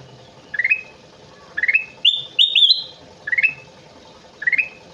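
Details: Vigorously singing kutilang emas bulbul gives short rising whistled phrases, repeated about once a second, with a louder run of sustained upward-sliding whistles in the middle. A faint steady hum sits in the background.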